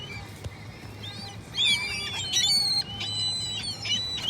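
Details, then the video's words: Gulls calling: overlapping high, thin squealing cries with wavering harmonics, some sliding upward, loudest mid-clip, over a low steady hum. "Seagull noises"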